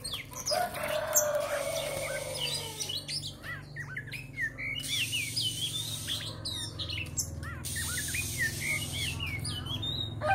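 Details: Oriental magpie-robin song: after a brief descending drawn-out tone at the start, a long sequence of short whistled slurs and chirps follows, some rising, some falling, over a constant low hum and hiss.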